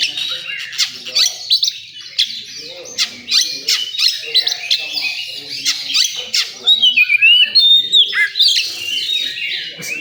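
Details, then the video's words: At a bird singing contest, an oriental magpie-robin gives a fast stream of harsh chattering notes and clipped chirps, ending in a run of bright, swooping whistles, with faint background voices. "Suara kacer di area lomba"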